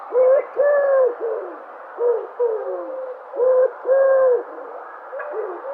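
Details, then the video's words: Dove cooing: soft, hollow, low-pitched coos, mostly in pairs of level notes about every one to two seconds, with nothing else clearly heard. "Sounds of Dove"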